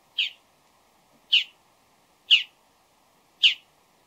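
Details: Pre-dawn Bull-headed shrike giving loud, harsh, scratchy single notes, four of them spaced about a second apart, each short and abrupt, against a quiet, nearly silent background.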